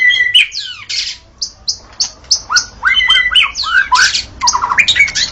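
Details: A white-rumped shama sings at dawn in loud, varied bursts: sharp high clipped notes, downslurred whistles and rapid rising-and-falling phrases separated by brief pauses.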